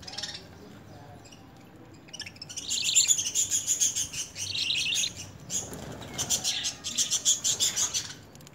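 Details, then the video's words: Lovebird begging at hand feeding, eating spinach and coriander in early hand-feed training. After a quiet start comes insistent, buzzy, fast-pulsed begging, several notes per second. It breaks briefly, then resumes just as harshly. "Love Birds Hand Feeding"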